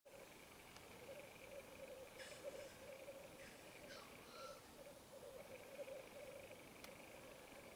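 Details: Male Black grouse at an autumn lek in Finland: a steady, low, bubbling rookooing runs throughout, broken by a few sharp hissing calls, over a faint high steady hum.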